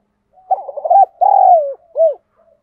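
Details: Spotted dove used as a decoy to draw in wild doves, thổ-style voice: a stuttering run of short coos, then a long, drawn-out coo sloping down, and a final short rounded coo.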